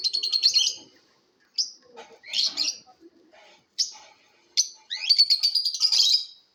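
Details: Lovebird competition chirping: scattered short buzzy chirps and rasping notes with gaps, then a longer rapid burst of scratchy high chatter with rising sweeps near the end.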